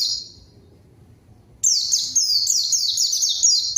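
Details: Lure song of a white-eye (pleci) for calling a rival and making silent birds sing: a brief high twitter, a pause, then a long continuous run of rapid, sharp, descending chattering notes.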